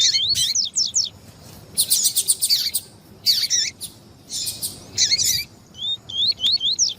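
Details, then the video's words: Song of a double-collared seedeater combined with female calls to excite the male: bright sliding whistles alternate with loud buzzy chattering bursts, several in sequence, finishing with a thin series of rising whistled notes. "ESQUENTAR COLEIRO TUI TUI"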